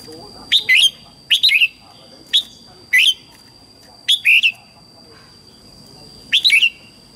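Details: Red-whiskered bulbul singing at dawn for training young white-cheeked bulbuls: six short, bright whistled bursts, often paired notes, spaced roughly a second apart, with a steady faint electronic tone throughout.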